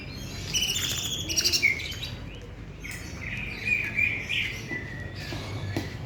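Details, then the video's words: Greater green leafbird song of varied high whistles, chirps and short trills in irregular bursts, with steady low background noise. "Burung Cucak Ijo andalan"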